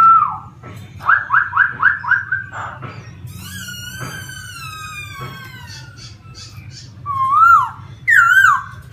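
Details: Wild laughingthrush song opening with a quick series of five repeated downslurred whistles, then a long descending harmonic note and, after a quieter stretch, two loud looping whistled phrases, all above a constant low hum.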